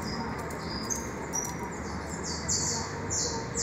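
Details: Freshly hatched saffron finch chicks begging in their nest: thin faint squeaks at first, then stronger broad hissing bursts repeated in the second half, set against a dull continuous low background drone.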